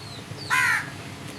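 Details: A crow gives one harsh caw of about a third of a second, loud over a quiet background with a few thin high bird chirps before it.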